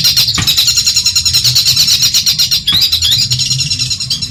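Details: Madura long-tailed shrike singing as a tutor for other songbirds: a fast, continuous high-pitched chattering trill with two sharp clicks, over a constant low background hum.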